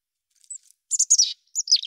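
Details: Mountain chickadee chirping: a thin, high whistled note, then a quick run of sharp, very high notes sliding down into a short, buzzier tail, with a final high slurred chirp.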